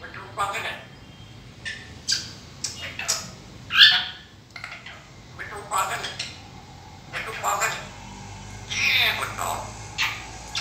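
A grey parrot chatters in short, speech-like bursts of mimicked words, broken by a sharp whistle and a harsh squawk near the end.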